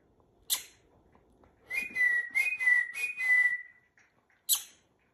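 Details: Hand-tame rainbow lorikeet whistling its trained tune: a quick series of rising-falling whistled notes ending in a longer held note, between two sharp taps.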